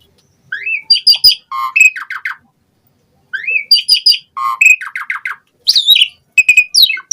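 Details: Asian pied starling, its song used to stimulate other starlings to sing, delivering two similar phrases: a rising whistle followed by quick chattering notes and nasal buzzy calls, split by a short silence.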